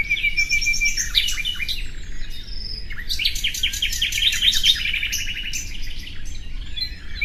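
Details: Song of the common nightingale: a drawn-out whistle opens, then dense chattering trills and rapid repeated strokes, with pauses between phrases and a low steady noise underneath.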